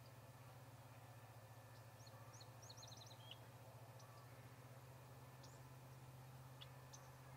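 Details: Small birds visiting an osprey nest at Charlo, Montana, on October 8, 2017: a quick run of thin, high chirps clustered over about a second, then scattered single high notes over steady low background noise.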